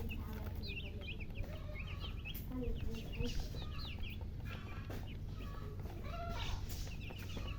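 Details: Coloured chicks, baby chickens, chirping with thirst for water: flurries of short high peeps, some lower notes between them, and a steady low rumble underneath.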